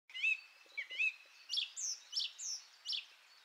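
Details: Song thrush singing: varied whistled and slurred phrases, a few low clear notes followed by brighter downslurred notes repeated at short intervals, fairly loud with faint background.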